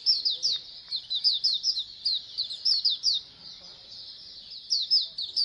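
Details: Oriental white-eye colony chorus for training birds to sing more: bright, high twittering bursts of rapid downslurred notes, a quieter lull in the middle, then the busy chirping returns.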